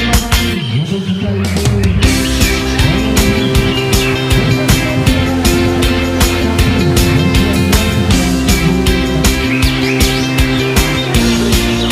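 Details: Loud rock music with driving drums and guitar fills the whole clip, with no animal sound to be heard.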